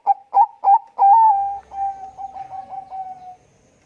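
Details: Bangkok-type zebra dove (perkutut) calling vigorously in a thick voice: four short, slightly rising coos spaced about a third of a second apart, then a long, gently pulsing purr of rapid soft coos that fades out.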